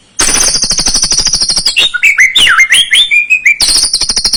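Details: White-rumped shama singing as a provoking lure for a juvenile bird: harsh, rapid high rattling that gives way to loud swooping and twisting whistles, then the rattle returns.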